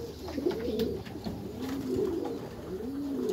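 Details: In a backyard loft, Meulemans racing pigeons utter soft, low, wavering coos that swell and fade, several overlapping across a few seconds.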